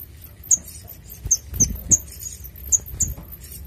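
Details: Brown-throated sunbird, a clear lively song recording used to lure birds into calling and to train birds: sharp high chips spaced irregularly, roughly every half second, over faint low background rumble.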